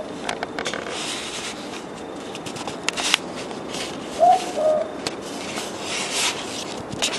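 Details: A single boo-book from a Southern boobook (mopoke), two mellow hoots falling slightly in pitch, set among scattered crackles and clicking noises.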